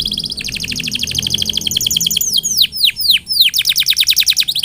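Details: Canary singing loudly and continuously, meant to stimulate other canaries into song: rapid rattling trills of repeated notes, about 200 a minute, broken by a run of deep swooping down-slurred notes, then fast trilling again.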